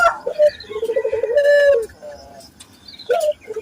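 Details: Local Barbary dove coo, a lure for training other doves to coo often: a rising opening note, then a fast pulsing roll ending in a long held tone, followed by softer coos.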